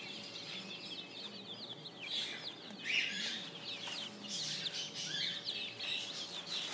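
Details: A crowd of spring chicks peeping, the shrill bent chirps overlapping densely, with one louder burst near the middle and faint low murmurs underneath.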